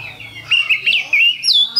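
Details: Caged Oriental magpie-robin with a short lure-song phrase: a string of bright, loud, rising and falling whistles with a faint low hum beneath.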